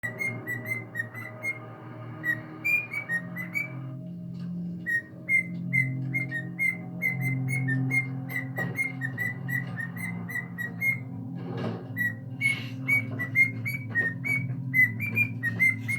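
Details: A male pet cockatiel whistles the Addams Family theme in clear, repeated notes, pausing and restarting phrases as he struggles to remember it, then suddenly gets it.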